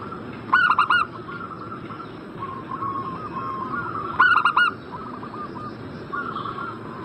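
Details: Zebra dove call played as a lure to prompt a bird in breeding condition to answer: two loud bursts of three to four quick, rolling cooing notes, with softer cooing phrases from other doves between them and a steady hiss.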